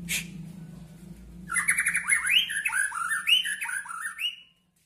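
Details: White-rumped shama bursts into song after a quiet start: fast, varied whistled phrases with swooping and upslurred notes, ending abruptly.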